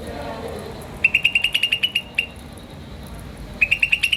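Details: Green starling chirping in quick, evenly spaced bright notes, a run of about ten, a pause, then a fresh burst of rapid chirps; background otherwise quiet.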